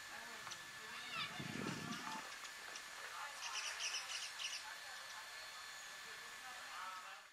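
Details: Indian white-eye in Pangot, India, in November 2023, giving thin, high chirping notes in quick, loose bursts, with a brief low murmur, possibly a voice, early on and a steady background hum.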